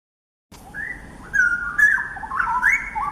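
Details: Straw-headed bulbul (Pycnonotus zeylanicus) song, very loud, flute-like and melodious, as heard in nature reserves like Dairy Farm Nature Park: liquid warble of whistles bubbling up and down in quick succession, nothing else competing.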